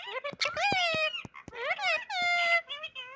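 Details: Pet parrot voicing loud, harmonic squawks and warbling notes. Long nasal calls alternate with short clicks and rising chirps in a busy, almost speech-like run of sounds.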